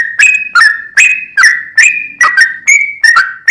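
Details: Sooty-headed bulbul in lively full ropel song: clear whistled notes near the same pitch, each with a sharp start and a short slide, repeated about every half second. No other sounds.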